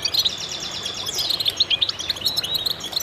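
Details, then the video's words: Chorus of goldfinches for stimulating birds: a fast, metallic trill followed by bright, jumbled high chirps and twitters from several overlapping voices. "voices a chorus of goldfinches in concert to stimulate birds"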